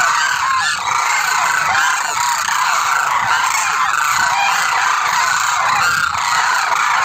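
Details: Demoiselle crane, or koonj: many birds calling at once in a steady wall of rough, trumpeting honks with no pause, with individual notes blurred together throughout.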